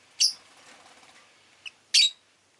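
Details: Rosy-faced lovebird, a pet bird, giving two sharp, loud, high chirps about two seconds apart, with a faint short note between them and low background hum.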